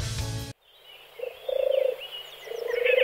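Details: Male European turtle dove singing: after a brief loud burst of other sound, soft purring pulsed phrases begin, each about half a second long, with faint high twittering of other birds behind.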